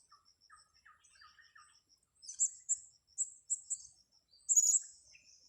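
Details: Blue-crowned hanging parrot at a luring spot on grass: soft lower chips from another bird at first, then a string of piercing high single chirps and a final scratchy burst.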